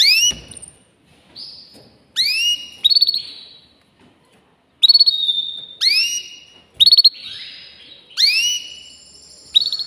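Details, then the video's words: Caged-sounding canary giving loud swooping whistles that slide down in pitch, mixed with short rapid rattles and level piping notes, separated by brief silences. "Making Your Canary Sing with Joy"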